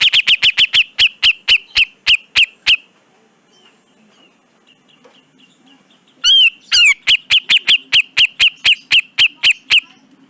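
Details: Grey-cheeked bulbul (cucak jenggot) in a masteran recording: fast trains of sharp, buzzy chips repeated about four times a second, broken by a pause and a short, slurred downward whistle, then the rapid chipping resumes.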